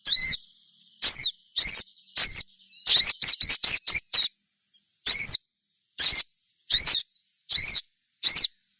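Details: Sogon, or crimson sunbird, calling in the 'trotolan' style meant to get other sogons singing: loud, piercing, high chirps repeated about every half second, with a brief rapid run of five notes in the middle.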